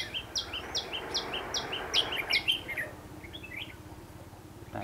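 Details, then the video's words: Red-whiskered bulbul at a trap in Hòa Bình, Vietnam, 28 March 2016, a decoy singing to draw in wild birds; loud whistled phrases with a rapid train of sharp repeated chips, then softer notes, over background hiss. "Bẫy chào mào hòa bình bổi 1 ngày 28/3/2016"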